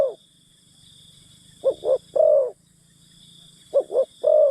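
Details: Decoy spotted dove coaxing wild forest birds. Two quick soft coos run into a longer, fuller note, and the phrase comes twice over a faint high insect hiss.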